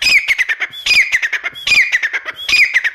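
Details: Grey francolin (teetar) calling: a rhythmic run of harsh, squawky phrases repeated roughly every 0.8 seconds, each starting with a brief whistle-like note and tumbling into quick rattled clucks.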